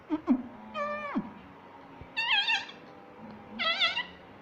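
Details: Pet parrot at home, taught to say "mummy papa", gives three drawn-out, voice-like harmonic calls, the first falling at its end and the last two wavering, with a few soft knocks between them.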